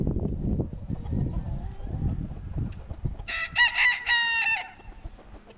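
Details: Decorative Brahma breed rooster in Altai, Russia, February 24, 2016, lets out a loud harmonic crow lasting about a second and a half after a stretch of low rumbling background noise and quiet clucking.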